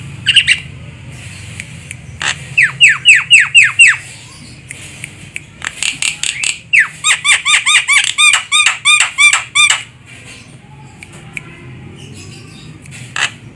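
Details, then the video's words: Javan myna used as a lure bird for trapping, giving bursts of loud, harsh descending notes repeated rapidly in series, mixed with clicking sounds and a low hum in the background. "Suara burung jalak kebo untuk pikat"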